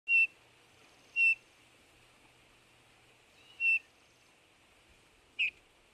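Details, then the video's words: Eurasian bullfinch calling: four short, soft, clear whistled notes at irregular intervals over six seconds, the last one slightly falling in pitch, against a quiet background. "bullfinch pyrrhula sound bird"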